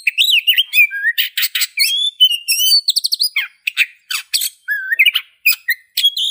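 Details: Oriental magpie-robin singing a rich, varied song: clear whistled notes between 2 and 4k, some rising and falling, mixed with harsh scratchy bursts and quick chirps, delivered almost continuously with short gaps; no other sounds.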